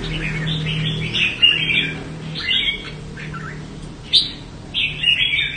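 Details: Red-whiskered bulbul showing song promise, a bird of the Đại Quang area of Quảng Nam, Vietnam, kept by an artisan keeper: short bright warbled phrases with quick rising and falling notes, separated by brief pauses, over a steady low hum.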